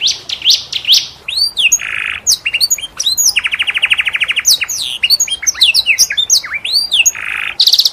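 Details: Teaching song for canaries from a vigorously singing canary in a unique cengkok style: bright upslurred whistles, low buzzy bursts, a fast pulsing roll and scattered sharp high notes in busy succession.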